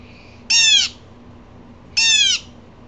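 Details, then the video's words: An upset blue jay, also upsetting squirrels, gives two harsh, nasal jeers, each short and slightly falling, about a second and a half apart, over a faint low hum. "Blue jays"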